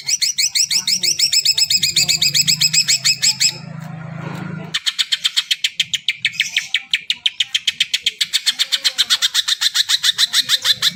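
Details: Greater green leafbird singing, used to prompt silent birds to start: rapid, repeated shrill notes with slightly rising strokes, a short noisy gap around four seconds, then a long even run of clipped high notes.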